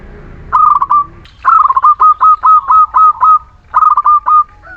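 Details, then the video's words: Local Muria zebra dove singing, used as a lure to prompt lazy or reluctant birds to sing: fast bursts of clipped, hollow, bubbling coo notes, seven staccato units in a row, then a shorter run after a brief pause. "Perkutut lokal Muria gacor pancingan setiap waktu perkutut malas bunyi"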